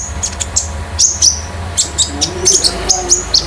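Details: Konin, home-kept and used to tutor and provoke other birds, just out of juvenile plumage: quick strings of high, thin chirps and twitters, closely repeated, with a low hum underneath.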